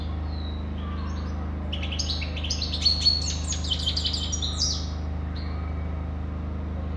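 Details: Rich goldfinch song: a tumbling sequence of tinkling, buzzy and trilled high notes building in the middle of the phrase, then a few drawn-out whistles, over a steady low hum.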